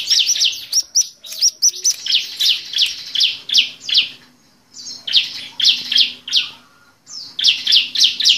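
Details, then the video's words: Bar-winged prinia (ciblek) giving bursts of sharp, high, chipping notes, about three or four a second, in phrases separated by short pauses; used as a lure call to get lazy captive birds singing. "Suara pancingan untuk burung ciblek yang malas bunyi"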